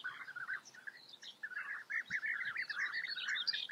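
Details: European bee-eaters in the Eifel, Germany, calling together: a dense stream of rolling, liquid trilled notes overlapping almost continuously, with fainter higher chirps above and light background noise outdoors.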